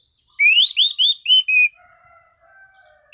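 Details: Clear, calm song of an orange-sided thrush: five rapid, bright rising-and-falling whistles strung together, followed by soft low drawn-out tones trailing off.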